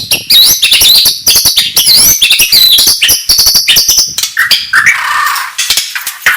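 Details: Oriental magpie-robin singing in the morning to rouse rival birds: dense, high wavering whistles and quick clicks, ending in a falling slurred note.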